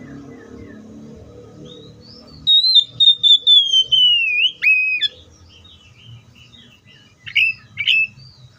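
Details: Oriental magpie-robin song: after a murky low-noise opening, long pure whistles slide slowly downward, broken by sharp chip notes, then a pause and a pair of quick rising, twisting whistled phrases.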